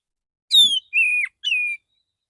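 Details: Male white-rumped shama singing in the morning to call other shamas: three clear whistled notes, the first gliding downward, the next two long and level.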